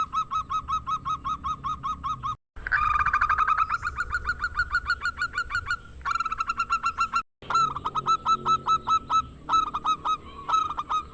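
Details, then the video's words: Local zebra dove in strong voice, a lure to draw rivals into song: a swelling opening note gives way to fast, evenly spaced, reedy coos, then stuttering clusters of shorter notes after brief silences. "Perkutut Lokal Suara Langka, Perkutut GACOR ampuh buat pancingan perkutut macet , Perkutut MANGGUNG"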